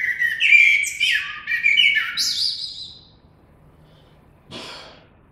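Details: Common blackbird song with a run of fluty, wavering whistles and higher squeaky twitters over three seconds, then silence broken by one short, harsh noise.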